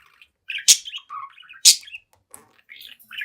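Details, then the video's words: Pet budgie, seven months old, playing in front of a mirror, gives busy chattering warble punctuated by two loud, harsh squawks about a second apart, then softer twittering notes. "Young Budgie Talks, Dances, and Sings in Front of the Mirror"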